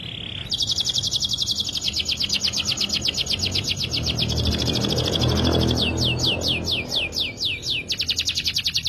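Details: Canary song used to lure other birds into singing: fast, long trill of rapid repeated notes, changing into sweeping slurred notes partway, over steady background noise.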